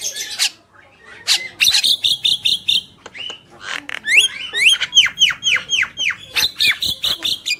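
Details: Male and female Javan mynas in full song: buzzy bursts, then a string of clipped high whistles, a quiet gap, and a series of steeply falling whistled notes about twice a second.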